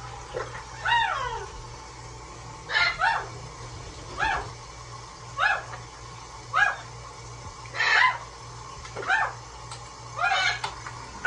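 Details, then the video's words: Large blue parrot calling while bathing in a sink: a series of loud, harsh, downward-sweeping squawks repeated roughly every one to two seconds, with a steady low hum in the background. "Huge blue parrot standoff with the sink!"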